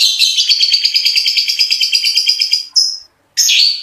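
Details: Long-tailed shrike (cendet) delivering a tembakan roll speed burst: a very fast rattling trill of high notes held for over two seconds, then a short gap and a strong rising slur.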